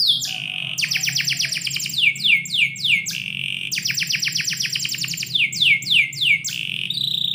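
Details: Indoor canary in the morning delivering a long run of rapid descending swept notes in fast repeated series, broken by short pauses, bright and high, with a faint steady low hum behind.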